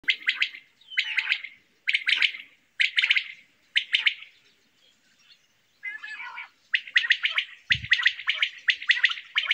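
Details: Quail calling in a steady series of short, harsh chirping bursts, roughly one per second, with a brief pause midway before the bursts resume faster and denser; a single low thump sounds near the end.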